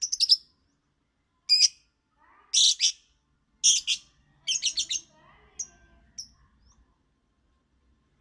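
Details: A lovebird sings in shrill, scratchy bursts and short chattering phrases, with softer twittering notes between them and a few quiet clicks.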